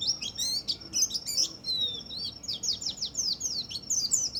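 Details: White-eye twittering song meant to stimulate other birds: a continuous, rather soft stream of rapid high chirps and slurred notes with hardly any pauses.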